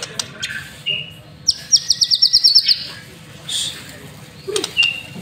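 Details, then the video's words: White-rumped shama master song used as a lure to get birds singing: short whistled notes, then a fast run of about ten sharp high chirps over a second, ending in scattered clicks and a final whistle, with low steady hum beneath. "Murai Batu Masteran sekali Pancing Langsung GACOR"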